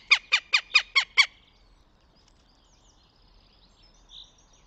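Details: At a nest in Tartu, Estonia, on 26 April 2025, a northern goshawk gives a short burst of six loud, harsh kek notes in quick, even succession, then falls silent, leaving only faint distant bird sounds.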